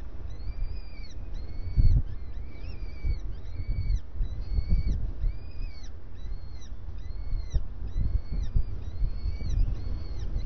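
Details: Rhythmic arched starling calls at breakfast, repeated roughly once a second in an even series, with a low rumbling background.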